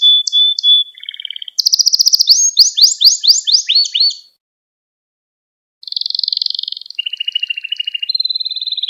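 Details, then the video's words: Canary training song intended for young birds: whistled notes and a short trill, a loud series of fast sweeping downslurred notes, about a second and a half of silence, then a rapid high roll falling to a lower rattle. "Kanarya Ders Ötümü ve Kanarya Sesi"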